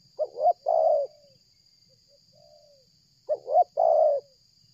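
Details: During bird luring, a spotted dove calls without stopping as it comes closer from afar: two quick clipped notes then a drawn-out throaty coo trailing downward, repeated after a pause with a faint soft note between phrases.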